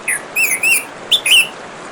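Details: Orange-headed thrush over gently running water: a quick string of varied whistles, a low slurred note, then scratchy warbles and bright rising and falling whistled slurs in close succession.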